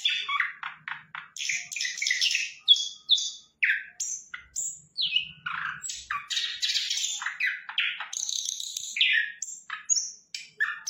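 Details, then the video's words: Sikatan londo flycatcher in a long, vigorous song bout: a torrent of varied chirps, squeaky whistles, downslurred notes and scratchy bursts, delivered almost without pause for about eleven seconds. "Sikatan Londo Gacor"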